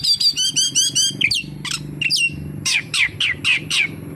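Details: Oriental magpie-robin singing a full mimicry-filled song: a rapid series of repeated chattering notes, then sharp descending squawky phrases and harsh buzzy notes, over a steady low hum.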